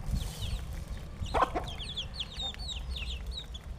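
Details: Chickens at feeding time utter a quick series of thin downward-curving chirps, joined by a brief louder knock near the start and low rumbling background noise.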